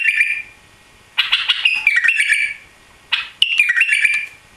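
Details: Newly arrived caged white-eared bulbul, tailless after travel to Europe in a cramped space, sings bright warbled phrases of rich, slightly harsh notes, about two seconds apart with quiet between, plus a brief opening phrase.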